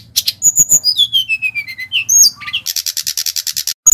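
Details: Brown-chested jungle flycatcher lure recording of the Bali variety, meant to make the bird sing: clear whistled notes sliding steadily downward, then a fast, even burst of short buzzy notes.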